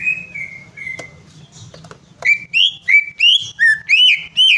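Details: Greater green leafbird song used to get a bird singing: two level drawn-out whistles, then a quick steady string of about eight bright, rising and falling whistled notes.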